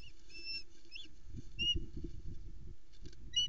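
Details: Hungry female osprey at a nest on Loch Arkaig in a Caledonian pine forest, 2020, calling and watching as her mate brings a whole flatfish. Short, high, whistled upslurred chirps come in scattered bursts over a steady low rumble of wind and camera noise.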